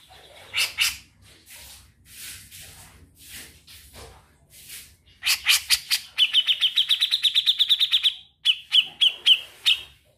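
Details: Grey-cheeked bulbul in vigorous trilling song: scattered harsh, breathy notes build into a dense burst of rasping calls, then a long, rapid trill of high whistled notes, ending with slower, clipped repeats.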